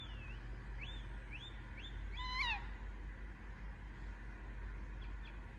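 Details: Baby Indian ringneck parakeet calling: a quick run of about six high, squeaky chirps, each rising then falling, then one louder, harsher downslurred call with rich overtones, over a steady low hum.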